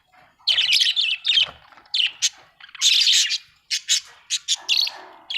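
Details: Budgerigar chatter in loud, harsh, high warbling bursts separated by short gaps, some notes sharp and clipped.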